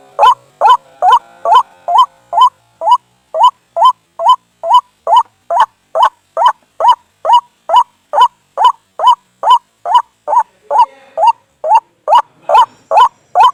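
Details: White-breasted waterhen lure played at night to pull birds toward snares: a long, steady chain of about thirty hoarse upslurred croaks, close to two and a half per second, keeping a strict rhythm.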